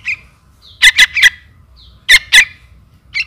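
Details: Young trukan begging for its mother: loud raspy squawks in doublets and triplets, interleaved with thin high whistled notes, about a second apart; used as a lure call.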